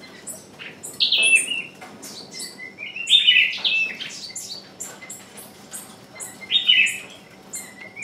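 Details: Caged decoy bird calling to lure wild birds, which stay away; loud, sharp, high whistled notes with quick downward slurs, given in bursts about every two to three seconds, with faint softer chirps between.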